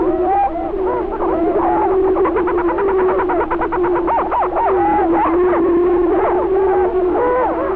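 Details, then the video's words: Greater prairie-chickens on a spring booming ground in Benton County, Missouri (1948 recording): rival males fighting over territory keep up a steady low booming hum beneath a chorus of cackling, whooping and rising, wailing calls. "prairie chicken calling & booming"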